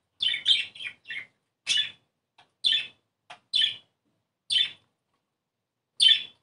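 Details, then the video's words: Budgerigar song meant to encourage breeding: a run of sharp, high chirps, quick at first, then single notes spaced about a second apart. "ESTIMULAR CELO !!! CANTO PERIQUITO AUSTRALIANO!!"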